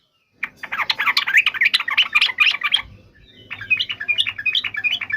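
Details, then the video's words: Yellow-vented bulbul in full voice: a rich, tumbling warble of rapid chirps, then a softer, more spaced series of lilting notes. "SUARA BURUNG TRUCUKAN"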